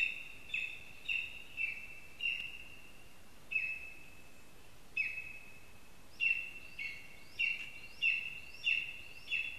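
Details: At a spruce nest in Zemgale, Latvia, a lesser spotted eagle on a live camera gives high, thin yelps. They come in irregular runs, pausing and then quickening to about one every half second, over a constant high tone and background hiss.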